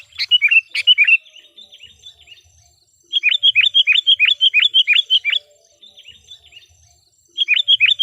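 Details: Decoy sooty-headed bulbul in full song to attract wild bulbuls, delivering fast strings of repeated, downward-sliding chirped notes, about three per second, in bursts of two seconds with short pauses.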